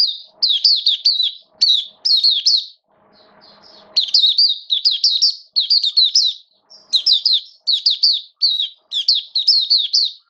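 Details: Oriental white-eye in a cage, opening song recorded during rainy weather in October 2022: almost continuous bursts of sharp, high, falling tweets, each cluster of three or four notes, with one brief lull of soft hum.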